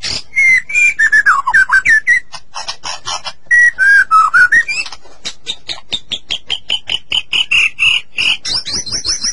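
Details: Long-duration master song of the White-rumped shama, meant to encourage a captive shama to sing: descending whistled phrases with bursts of rapid ticking, then a long accelerating series of clipped notes ending in high repeated chips.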